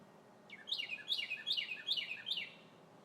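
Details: Red bird singing in trees on a sunny spring day: five quick phrases, each a bright whistled note slurring steeply downward, repeated about every 0.4 seconds, over a quiet background.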